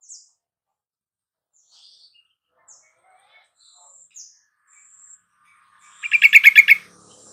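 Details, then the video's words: Yellow-vented bulbul, kept in a cage, used as lure song for a bird that has stopped singing: sparse faint high chips and thin whistles, then a rich burst of about seven quick, bubbly notes near the end. "Pancingan TRUCUKAN MALES KICAU dan MACET TOTAL Agar nyaut GACOR"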